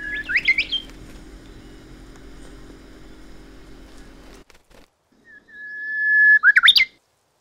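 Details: A Japanese bush warbler song, possibly a regional dialect played through a speaker to territorial Jeju birds: a long, steady whistle that swells and breaks into a quick, tumbling flourish, after an earlier rising phrase over a low hum.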